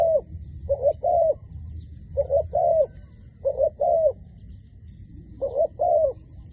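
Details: A decoy dove calls rapidly, giving soft, low coos in short groups of two or three notes about every second, over a quiet rumbling background.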